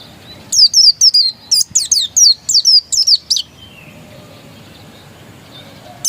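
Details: Oriental white-eye, described as a pure original bird, pouring out a fast run of high, descending, slurred chirps for about three seconds, then silence and one final note.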